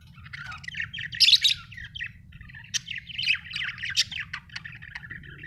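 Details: Budgie chirps in a continuous stream of quick, buzzy, warbling twitters and short squeaky notes, peaking in a bright burst early on, over a faint low background hum.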